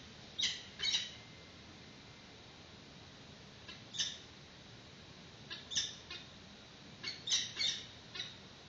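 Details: Peregrine falcons at a nest on a live webcam in 2019, at a chick's first feeding with a yellow prey bird. Sharp, high, scratchy squeaks arrive in scattered pairs and clusters with quiet gaps between them.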